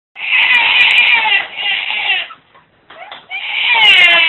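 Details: Double yellow-headed amazon parrot talking: two loud, harsh, speech-like phrases rich in stacked harmonics, the first about two seconds long, then a short pause and a second rasping phrase, recorded indoors at close range.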